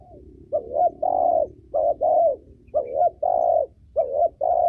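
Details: Female spotted dove cooing, used as a training bird for youngsters and to excite males: steady pairs of low hollow notes, a short rising one and a longer level one, repeated about every second over a faint hum.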